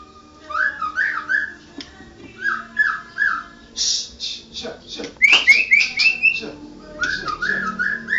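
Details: White-rumped shama, a national champion, delivering a varied song: low, repeated, warbled whistles, then a harsh buzzy burst, then bright, rising, high whistles and more low warbles, all over a faint hum.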